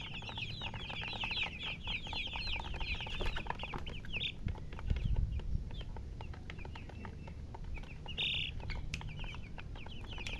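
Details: Baby chickens peeping in quick runs of high, bent chirps, strongest at the start and again later, with rustling, knocking and low rumbling noise in between.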